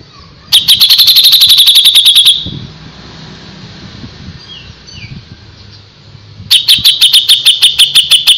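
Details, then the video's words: Grey-cheeked bulbul in frequent song on a tutor recording: a long rapid series of harsh, evenly spaced high notes, a pause with faint distant calls, then another fast repeated burst. "suara burung cucak jenggot // cucak jenggot gacor masteran burung cucak jenggot"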